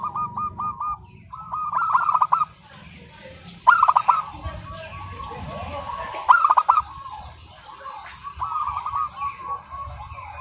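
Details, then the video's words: Local zebra doves singing without a break in clear crystal tones: several overlapping cooing trills of rapid pulses, with loud bright bursts recurring every few seconds against a busy, noisy background. "Perkutut Lokal GACOR SUARA KRISTAL MANGGUNG TANPA JEDA"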